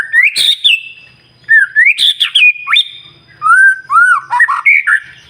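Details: A white-rumped shama sings in the morning to provoke other birds: two rich phrases mixing rising whistles with harsh, buzzy high notes, separated by short pauses, each ending in softer slurred whistles.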